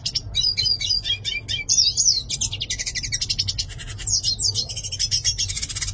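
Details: Yellow-faced siskin in full song, mixing bright twittering whistles and slurred notes with extended dry buzzing rattles, delivered rapidly and without gaps; faint low hum beneath.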